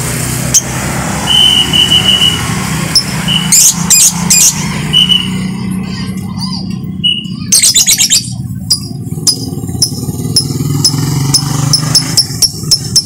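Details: Caged-bird training song of a lovebird at 6 a.m.: scattered sharp high chirps, short trilled notes and several quick bursts of rapid chattering, over constant low traffic hum.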